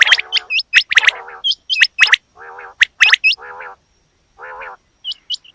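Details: Loud, sharp chirps and hooked high whistles from a female quail alternate with lower nasal harmonic calls, the later calls coming singly after brief silences.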